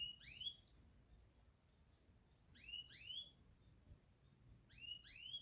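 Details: A Yorkshire canary sings three brief bursts of bright, high whistled notes, each a quick cluster of sliding slurs, about two and a half seconds apart over faint room hum.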